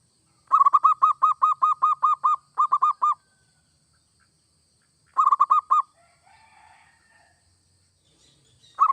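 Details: Zebra dove (perkutut), local or Bangkok type, in full singing form, song meant to get other doves singing: rapid runs of clear cooing notes, a phrase of about nine then four, a pause, five more, another starting at the end.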